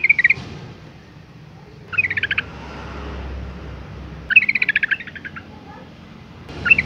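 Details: Yellow-vented Bulbul female in breeding condition summoning males: short chattering bursts of quick bright notes every two to two and a half seconds, separated by low background hum.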